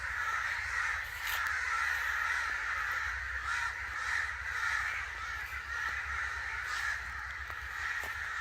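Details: Angry crows in a continuous, noisy chorus of raspy overlapping caws with no clear gaps. A steady low background hum runs underneath.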